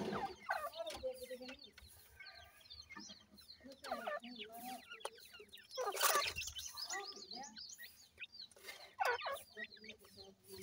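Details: Grey francolin chicks, known locally as dakhni teetar, with their parent pair: many high falling peeps in busy bursts, some lower soft notes, and several sharp broadband clicks or knocks.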